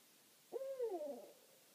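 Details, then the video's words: A night owl, one of two visiting a meadow on Rattenbury Rd, gives one wavering, quavering low hoot that bends up then down over about three-quarters of a second against a soft background hiss. "Owl Calling on Rattenbury Rd"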